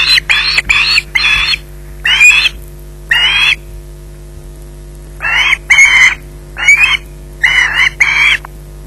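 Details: Osprey in possession of a fish at a nest at Loch Garten, evening at 20:33, giving loud, rasping screeches in irregular clusters of two to four, about a dozen harsh calls in all, over a faint constant hum.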